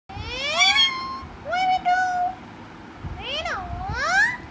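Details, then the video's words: A talkative pet parrot making voice-like sounds: a few tonal, harmonic utterances that sweep up and down, some drawn out and wavering, with short pauses between them in a quiet room. "talking parrot"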